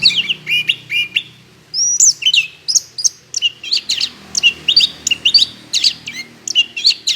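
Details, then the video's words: Orange-headed thrush in lively song, used as a lure to draw other birds into singing: a fast, varied run of clear whistled notes and rising and falling slurred phrases, delivered in quick bursts with short gaps. "pancingan anis kembang gacor"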